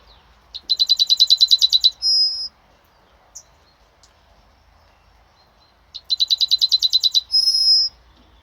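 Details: Yellowhammer singing on 26 May 2026: two songs, each a fast run of about a dozen identical high, dry chips followed by a longer, drawn-out closing note, repeated after roughly four seconds of quiet.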